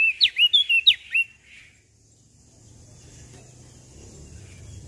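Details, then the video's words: Brief bout of loud, sharply downslurred whistles from a common tailorbird from Lombok, about six notes in a second, then fading into low background rumble. "Burung Prenjak Daun Lombok Gacor Full Isian"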